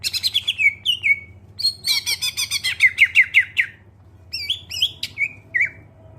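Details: Clear-voiced greater green leafbird song meant to prompt other birds to sing: quick bright whistles and a fast rattling burst of chirps, then a pause and more falling whistled phrases over a faint hum.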